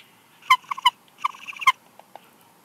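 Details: At a Big Bear Lake, California nest during incubation changeover, a bald eagle pair trades calls: two quick bursts of high, stuttering, piping notes with ringing overtones, followed by a couple of faint soft notes.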